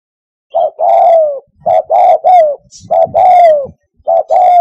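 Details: Spotted dove calling for luring doves to a hunting hide: deep, rough coos with drawn-out descending notes in groups, a faint higher chirp and a low thump in the background.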